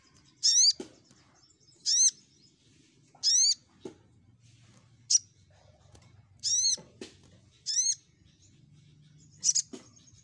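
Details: Crimson sunbird lure to draw rivals: harsh buzzy notes repeated at uneven intervals of one to two seconds, mixed with brief sharp clicks and a soft low hum in the background.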